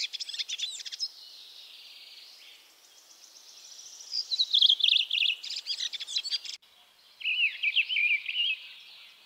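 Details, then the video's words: Redwing (Turdus iliacus), a Russian forest bird, sings short high phrases of squeaky chattering twitter with a few clearer whistled notes, in bursts with brief pauses over faint background hiss. "Дрозд-белобровик / redwing (Turdus iliacus)"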